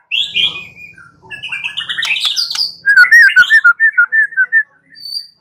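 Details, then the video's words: Song of a white-rumped shama, used as a lure to get another shama to reply and sing: varied whistles and a scratchy rising chatter lead into a rhythmic series of clear, swooping whistled notes. "Pancingan Murai batu 85% Jitu jadikan Murai batu NYAUT NGEPLONG"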